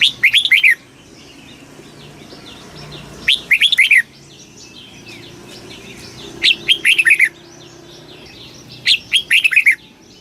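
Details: Red-whiskered bulbul singing a very fast kích bổi song: four short bursts of rich, warbled, bubbling notes, roughly every three seconds, with quiet pauses between.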